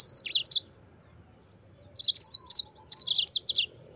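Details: Song of a yellow-fronted canary used to tutor other birds: a short burst of high sweet notes, a pause, then two rapid phrases of bright chirping.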